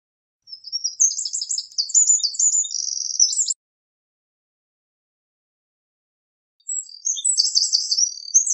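Eurasian wren singing two loud, high, rapid bursts of trills and chattering notes, about three seconds each, separated by a pause; no other sounds.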